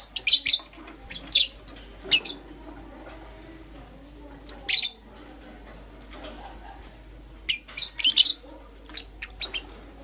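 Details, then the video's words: Green opaline and lutino Euwing lovebirds calling in the morning: rapid bursts of shrill, scratchy chirps at the start, middle and end, with quieter murmuring between the bursts. "Lovebird Chirping Sounds - Euwing Green Opaline & Lutino"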